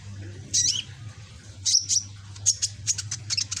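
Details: Young kept sunbird, the red-backed green form, still learning its song: short bursts of high, sharp chirps and squeaky notes, with scattered rapid ticks near the end, over a steady low hum.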